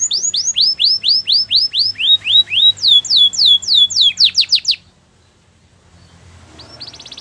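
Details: Singing canary: a rhythmic sequence of loud down-slurred whistles changing in pitch and speed, ending abruptly, followed by a short faint trill after near silence.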